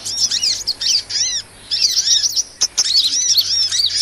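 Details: Sunbird lure sound used to attract and trap small birds: dense, high-pitched twittering of rapid chirps and quick down-slurred and up-slurred notes. The chirps overlap in busy bursts, with brief pauses near the middle and a short sharp click.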